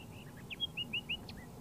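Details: A pair of Layard's warblers (tit-babblers) foraging together in bushes on a dry Karoo farm near Hanover, Northern Cape, singing softly to each other: a soft run of short, sweet chirps and slurred whistles, about six notes a second, with faint background rumble.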